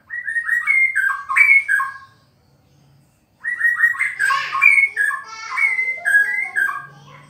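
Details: White-rumped shama singing to challenge a tough rival: loud, rich, varied whistled phrases that slide up and down, in two bursts separated by a pause of about a second, with faint low hum beneath.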